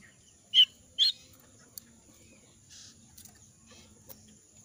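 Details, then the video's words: Jongkangan in moult, shedding feathers, its voice hoarse and unable to sing fully: two short, harsh, husky notes about half a second apart near the start, then faint scattered clicks and rustles over a quiet background. "suara burung jongkangan dalam ke adaan mabung rontok bulu"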